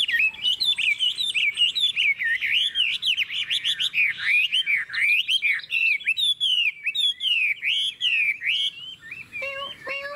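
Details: Long, unbroken song of a caged Chinese hwamei with a forest voice, in the five-part ngũ trường style: loud, rich, swooping whistles in rapid, varied phrases for about nine seconds, ending with a few harsher notes.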